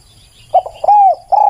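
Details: Spotted dove coos heard as a short note, a pause, a long level coo sliding down at the end, and the start of another coo, low-pitched and clear.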